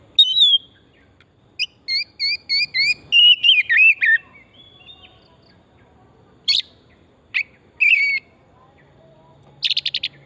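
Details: Lure song of a vigorously singing oriental magpie-robin: a falling whistle, then a series of paired two-tone notes repeated every half second, a tumbling descending warble, and scattered sharp notes ending in a quick buzzy trill.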